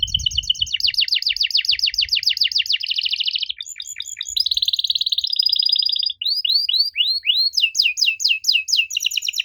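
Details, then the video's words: Canary singing to draw an answer from young canaries: a long rapid trill of downward sweeps, buzzy rolls and chattering phrases, then loud repeated rising whistled upslurs, all high and continuous. "Kenari Muda pasti nyaut kalo denger suara aneh kenari ini."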